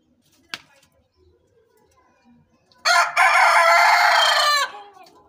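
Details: Young desi rooster crowing as it grows: after a brief click and quiet rustling, one loud, hoarse, drawn-out crow lasting nearly two seconds, rough and broad-toned, ending with a falling tail, then soft background sounds.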